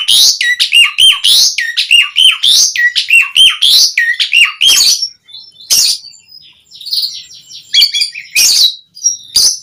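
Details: Asian pied starling song for luring other starlings to reply: a rhythmic run of repeated whistled phrases, each ending in a dipping note, then sparser harsh bursts and chattering after a short gap.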